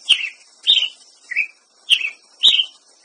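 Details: Ruby-crowned Tanager song: five short, bright, slightly descending chirped notes spaced about half a second apart, with a faint high hiss in the background.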